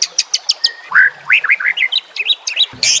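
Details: White-rumped shama (murai batu) harsh 'nembak' style song used for training birds, over nature sounds and trickling water: rapid sharp ticks open into a run of quick upslurred whistled notes rising in pitch, ending in a harsh burst.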